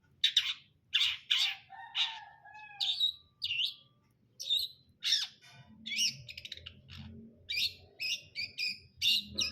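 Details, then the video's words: Long-tailed shrike of the brundol kind in full song: loud harsh rasping notes about every half second, mixed with clear rising whistles and a brief low buzz. The background is quiet. "KICAUAN CENDET BRUNDOL"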